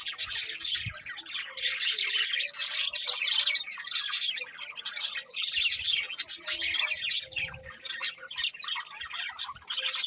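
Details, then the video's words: Budgies chirping and squawking together in a lively, nearly continuous high-pitched chatter, notes tumbling over one another with small dips in loudness. "Cute Budgies Chirping Sounds"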